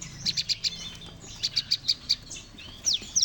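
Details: Bar-winged prinia chorus of several birds, a recording used as a lure for trapping: quick series of sharp, high chipping notes repeated about five per second, with overlapping callers, ending in rapid descending squeaky notes over a faint low hum.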